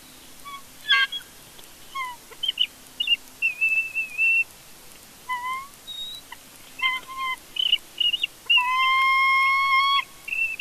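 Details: Bald eagle family in conflict at a Big Bear nest on a live nest camera: scattered thin whistles and short chirps, some sliding down, then a long steady whistled note near the end, over a hissy background.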